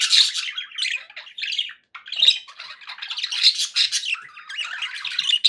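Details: Pet budgies sounding happy, giving rapid squeaky chirps and grating warbles in irregular bursts, with one short pause before the chattering picks up again.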